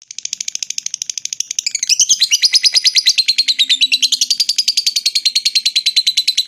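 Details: Lovebird giving a long ngekek trill meant to rouse rival fighter birds' breeding drive: rapid, even chattering notes, about eight a second, high and shrill, growing louder and steadier after the second second.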